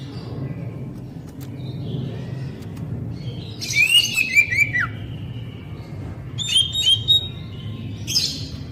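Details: Oriental magpie-robin (kacer, poci type) song used to coax caged, untrained birds into singing. A faint descending run of whistled notes is followed later by a short whistled phrase over steady low background noise.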